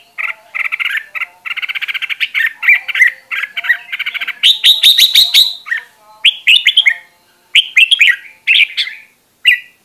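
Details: Red-whiskered bulbul song for training a bird's voice, opening with rapid repeated chirps, then louder ringing whistled phrases separated by brief gaps.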